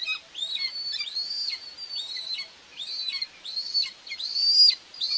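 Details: At a Hungarian common buzzard nest in Tiszalök on 2 June 2024, a mother feeds two chicks while high whistled notes rise and drop in quick succession, about five across the stretch.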